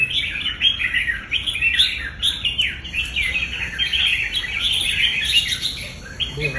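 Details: A contest-trained red-whiskered bulbul pours out fast, clear chirping phrases almost without pause, each note sliding up or down, with faint voices at the very end.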